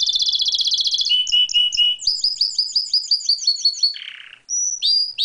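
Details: Pet canary singing outside its cage: rapid trills of repeated high chirps, switching between several tour types, a brief buzzy lower phrase, then sharp upward whistled notes; faint ticking in the background.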